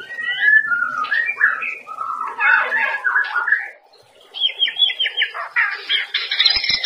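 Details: White-rumped shama daily training song for cage birds: a dense, varied tumble of whistled and chattering phrases, a short pause, then rapid repeated buzzy notes with faint clicks at the end.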